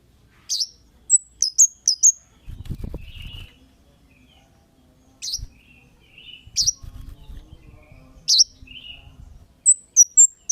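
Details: Kemade calling as a lure for other birds: scattered single high, sharp chirps and short runs of quick falling notes, with soft low rumbling noise between some calls.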